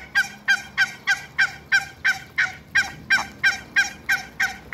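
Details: Two pairs of African geese kept in a backyard alongside Muscovy ducks, giving a steady run of harsh, nasal honks, about three per second and evenly spaced, each honk rich and ringing.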